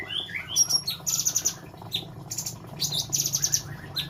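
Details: Captive female sooty-headed bulbuls from the Semarang area, Indonesia, mix short rising whistles with rapid, high buzzy chatter in pulsing bursts over a low hum.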